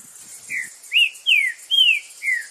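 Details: Green-winged saltator singing outdoors, a bright phrase of five whistled notes, each sliding down in pitch, evenly spaced, with faint rustles at the start.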